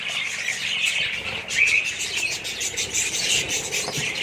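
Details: Many budgerigars calling together in a colony, a thick wash of chirps and squeaky notes with a louder burst of chatter midway.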